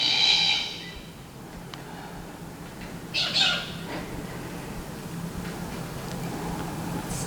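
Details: Glossy black cockatoos (Calyptorhynchus lathami) in south-east Queensland, adults back in the tree in the afternoon after drinking, calling with a wing-flapping chick about to fledge: two harsh, drawn-out squawks about three seconds apart, faint softer calls between, low rumble.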